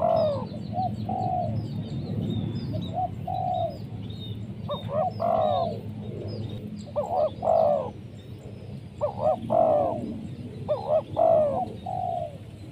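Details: Spotted dove calling, used to lure wild doves: repeated soft cooing phrases in groups of two or three notes, roughly every two seconds in the second half, over a low rumbling background with faint high chirps.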